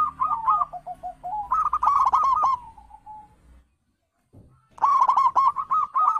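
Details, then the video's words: Wild zebra dove cooing, meant as a lure for birds that have gone quiet: rolling coos drifting lower, a second rapid phrase fading out, a silent gap, then another burst of quick, bubbly notes. "panggilan perkutut liar"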